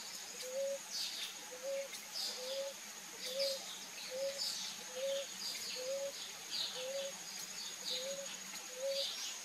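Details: Ruddy ground dove during a bath: ten soft, quick, slightly rising coos at regular intervals of roughly one second, over faint chirps of other birds and a persistent high-pitched drone.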